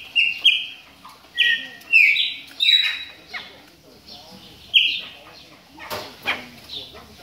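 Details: A Chopi blackbird warming up while moulting utters bright whistled call notes in clusters, then sparser notes with some clattering noise near the end.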